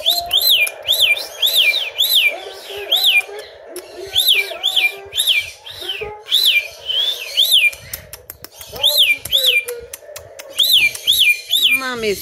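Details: Andy, a one-footed male pet cockatiel who cannot stand on the ground unaided, sings at night: a run of repeated, rising-and-falling whistled notes at a brisk, steady pace.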